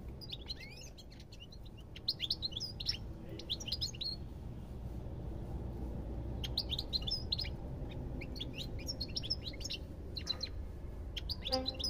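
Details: Goldfinch song in separate spurts: clusters of sharp, high chirps and fast twittering notes, broken by quiet gaps of a second or more, with a constant low hum underneath.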